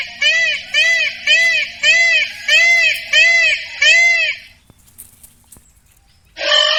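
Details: Peacock giving seven loud, nasal, screaming notes in a quick series, about two per second, each note arched and rich in harmonics. A short silence follows, then another harsh call begins.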